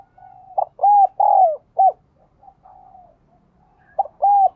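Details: 'Đồng kim'-voiced spotted dove, a very diligent cooer: a full phrase of a brief note, two sustained arched coos and a short closing coo, then soft murmured coos and the start of another phrase.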